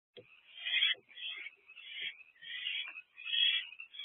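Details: Owlets in an owl nest box at night, 21 April 2024, around 9:15 to 9:31 pm, as parents keep bringing food: raspy, hissing bursts repeated roughly every half second in a steady series.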